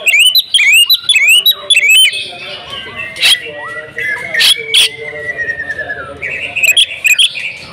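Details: Female oriental magpie-robin kept at home, singing hard: opens with a quick series of bright upswept whistles, then scattered sharp clicks and a thinner, fainter warble.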